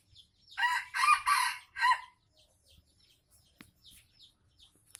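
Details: Crowing red junglefowl, a tame bird from Aceh: a brief, loud, raspy crow broken into three or four choppy bursts over about one and a half seconds, then small birds chirping faintly.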